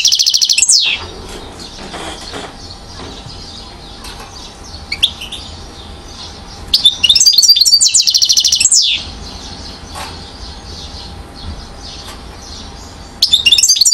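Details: European goldfinch, one year old, from Mouzaia, Algeria, recorded 2012: short loud bursts of fast, tinkling, high-pitched twitters separated by long quiet stretches.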